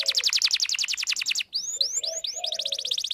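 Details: Canary singing as a lure for males and training for young birds: a quick, even trill, a few looping slurred whistles, then the fast trill resumes.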